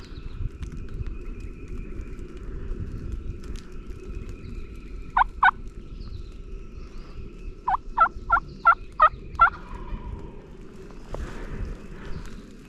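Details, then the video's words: Wild turkey tom gobbling off the roost at daylight on national forest public land in Virginia during turkey season: a loud burst of two rapid rattling gobbles, then a rolling run of five more, over low rumbling background and faint tonal hum. "Intense Off The Roost Vocalizations"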